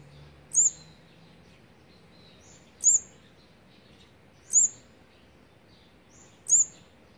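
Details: Fourth brood of olive-backed sunbird nestlings being fed on the 18th day, 8 March 2020; four very high sharp hooked notes, evenly spaced about every two seconds, with quiet thin chips between.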